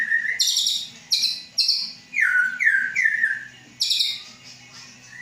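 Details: White-rumped shama of Aceh bloodline, caged and due to enter a breeding enclosure, hatched 23 August 2012. Strong high buzzy notes alternate with three rich downslurred whistles in quick succession, then another high burst.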